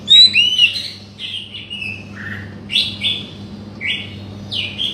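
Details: Oriental magpie-robin singing, played to prompt a non-singing bird to sing: bright whistled phrases and short squeaky notes in separate bursts, some dipping lower, set against a constant low electrical hum.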